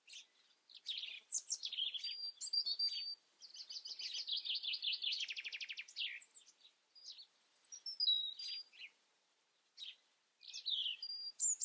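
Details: European robin singing a long, varied song of high, thin whistles, warbled phrases and a fast buzzy trill, followed by pure, high, sliding notes and scattered chirps with short gaps.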